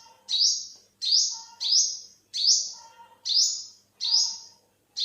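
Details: Seven high, shrill notes from an olive-backed sunbird (2021), each snapping upward and trailing off level, delivered at an even, brisk rhythm.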